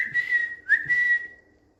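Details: Indian green ringneck parakeet, a pet on a bed, whistling: a long steady clear whistle, a short upswept note, then another sustained level whistle fading out.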